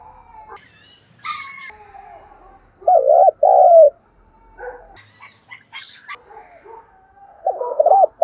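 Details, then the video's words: Morning cooing of a spotted dove kept as a decoy: paired deep coo notes in the middle and at the end, with sharper chirps and tweets from other birds in between. "Tiếng chim cu gáy mồi gáy gọi buổi sáng"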